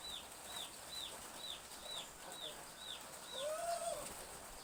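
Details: Chicks in a village backyard during light morning drizzle: clear, high, downward-curving peeps about twice a second, then a lower, arched whistle-like note near the end, over rain hiss.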